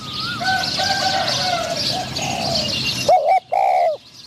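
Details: Spotted dove used as a caged decoy to lure wild doves for trapping. Soft low coos sit under chirping background birds, then a single loud, close, mellow coo phrase ends the recording.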